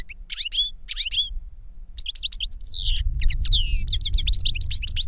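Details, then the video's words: Older goldfinch singing to teach a younger goldfinch: fast twittering bursts of high, sharp chirps, then a steep descending slur and a dense run of tinkling notes, over a low steady hum. "Older GOLDFINCH SINGING to Teach Younger Goldfinch"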